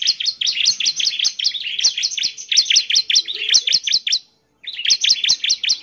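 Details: An actively singing bar-winged prinia, a song meant to make others answer. It gives a continuous rapid stream of sharp, high, down-up notes, broken once by a brief silence before the song resumes.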